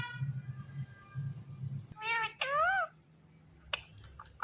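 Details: Indian ringneck parakeet talking: after a low steady hum, two loud bright bursts of wavering, voice-like syllables with rich harmonics, then a few short sharp notes.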